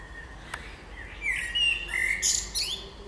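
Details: Birdsong in spring: high whistled and chirping phrases, a steady tone followed by sharper twittering bursts toward the end, over a faint low background hum.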